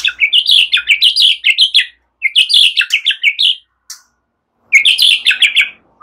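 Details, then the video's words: A white-rumped shama (murai batu) sings relaxed song with cililin and ciblek mimicry, for training songbirds: three dense bursts of rapid, high, chattering warbles separated by short pauses. "Ocehan SANTAI MURAI BATU, NEMBAK CILILIN SAMBUNG CIBLEK"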